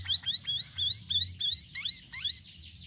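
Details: Sirisiri bird singing actively, used to lure other birds: a quick run of high, rising whistled notes, each slurring upward, repeated about every quarter second, with a few lower downslurred notes near the end.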